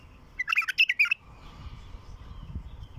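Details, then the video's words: Wild bulbul song used to attract wild bulbuls: a short burst of about seven quick, warbled notes over roughly 0.7 seconds, then low rumbling background noise. "تغريد بلبل وحشي خام لفتح البلابل الوحشية"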